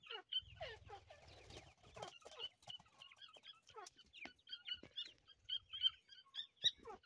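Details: Several young grey francolins calling while at play: dense, irregular bursts of thin high peeps and brief chirruping notes, some falling in pitch, with a low buzzing rumble early on and faint background shuffling.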